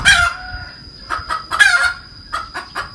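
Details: Hen gives a rapid cackle: sharp harsh notes and short clucks repeated several times within three seconds, one note drawn out longer, against a thin continuous high whine.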